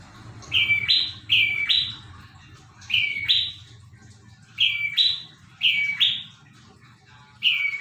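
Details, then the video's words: Prinia in full song, repeating sharp paired notes that rise from a level lower whistle to a buzzier upper tone, delivered in regular bursts with pauses between, over a faint low hum. "Burung prenjak gacor dor"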